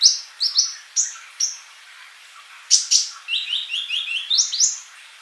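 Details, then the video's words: Kolibri sunbird in masteran training song: spaced high sharp chirps, then a quick descending run of short repeated notes forming a twittering trill, ending with piercing high notes. "MASTERAN UNTUK BURUNG COLIBRI GACOR"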